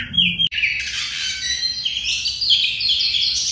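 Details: Kacer song from a contest training master, poci ngobra style: after one short whistled note, a dense, unbroken warble of rich, scratchy and whistled phrases that drift higher over three seconds.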